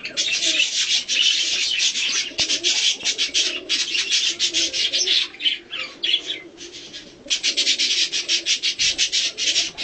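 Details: Hand-tame budgerigar of a colour mutation during feeding and a short play and cuddle session, giving dense scratchy chattering bursts in rapid runs, with brief pauses and some faint rubbing noises.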